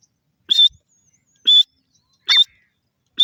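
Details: Feeding francolin (dakhni teetar) gives short, rasping, high notes, three full calls and the start of a fourth, each burst separated by nearly a second of silence.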